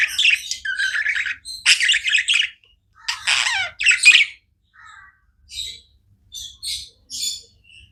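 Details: Budgies chirp in loud clustered bursts of scratchy warbling for four seconds, then thin out to short isolated squeaky chirps separated by silence.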